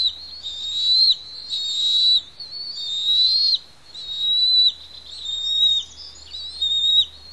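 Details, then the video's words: Two young Bald Eagle eaglets on the Pelican Harbor nest, Santa Cruz Island, beg noisily while parents feed them; thin high whistled squeals about a second long, repeated in a steady series with short gaps, faint low hum beneath. "A Noisy Feast for Four on PH"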